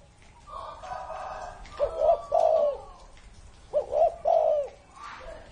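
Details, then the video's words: Two mellow, hollow cooing phrases from an aged spotted dove, over thirty years old and kept as an ornamental bird, each a quick pair of notes then a longer drawn coo, against soft background hiss. "CU GÁY CỤ hơn 30 năm tuổi !"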